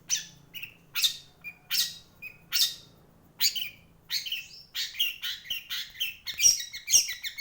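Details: Kolibri wulung giving spaced, scratchy high notes mixed with short whistled chips, gradually speeding up into a denser chattering phrase toward the end.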